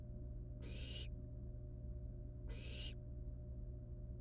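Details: Barn owl nestlings in the wild, at the nest with live prey, a rat they play with and then kill and eat; two long raspy hissing screeches nearly two seconds apart above a low steady drone.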